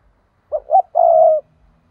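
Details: Decoy spotted dove calling to lure wild birds for trapping, the 'thúc' call: a brief coo, a second higher coo, then a sustained, slightly falling coo. No other sounds intrude.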